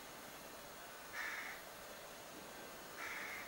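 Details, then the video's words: Young crow perched in a cherry tree outside a window, begging with two harsh, nasal cries about two seconds apart, each short and level in pitch, against a faint constant hum. "Begging Crow"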